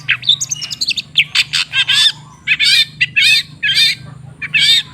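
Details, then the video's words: Long-tailed shrike (cendet) song, used as a lure to get a stalled bird singing again. Loud, harsh, chattering notes alternate with twisting, warbled phrases in quick bursts, with a faint low hum beneath. "Suara TERAPI pancingan cendet macet supaya rajin bunyi..!!!"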